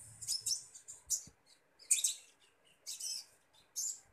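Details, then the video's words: A common iora calls while it is fed, giving harsh, hissing chirp bursts in loose groups, separated by short silences, with a faint low hum under the opening notes. "burung konin ijoan"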